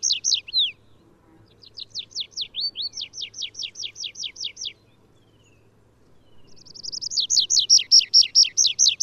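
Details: Wild Atlantic canary, native to the Canary Islands, Azores and Madeira, singing: bright high trills of rapid descending slurred notes, a fast series of about a dozen drops, a pause, then another ringing trill; faint low hum beneath.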